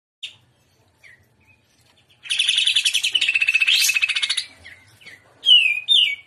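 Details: Greater green leafbird singing energetically in the trotolan, shrimp-style manner: a few short chirps, then a dense, buzzy, rapidly pulsed trill lasting about two seconds, ending with slurred whistled notes.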